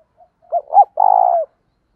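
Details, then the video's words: Spotted dove call for daily training of wild-caught doves, both sexes present: a faint short note, then two quick hoots and one long, evenly pulsing coo ending in a slight downward slur. "cu gáy tập bổi nhanh nổi hàng ngày"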